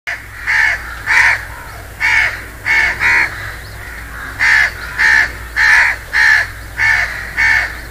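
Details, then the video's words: House crow calling: a series of about eleven harsh, nasal caws, each short and evenly loud, delivered singly or in quick pairs roughly every half second, over a low steady hum in the background. "house crow sound"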